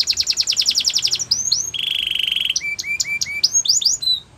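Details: Canary song for training: a rapid high rattling trill, then a long buzzy sustained note, followed by rising whistled slurs and varied chirps, with no other sounds.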